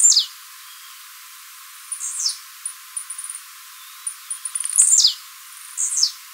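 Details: Blue-black grassquit singing for song training, recorded live: high buzzy downward-sweeping phrases roughly every two seconds, with clusters of thin high ticks between them.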